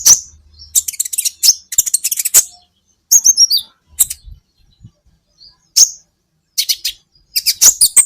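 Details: Training recording of an olive-backed sunbird, locally kolibri ninja, for teaching cage songbirds: clusters of rapid, thin, very high chirps broken by silent gaps, with a few downslurred squeaky notes.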